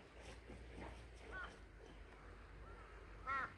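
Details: A crow, one of many present, gives a few short, hoarse, voice-like calls, loudest near the end, with faint human voices behind; it seemed upset at being filmed and sounded like calling "hey, hey".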